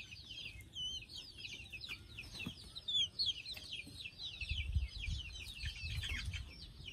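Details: Chicken chicks getting ready to sleep, many peeping at once: shrill downslurred chirps tumbling over one another at a rapid, irregular pace, with a few clearer whistled notes near the middle and low thumps beneath.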